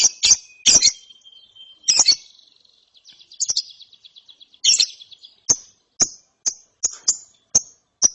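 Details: Young lovebird after therapy chirping: harsh grating notes at first, a thin wavering trill, then sharp short chips every half second or so.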